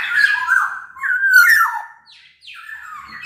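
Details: Lure song of a local Sumbawa black-naped oriole: a run of liquid, slurred whistles dipping and rising, followed by softer, harsher downslurred notes.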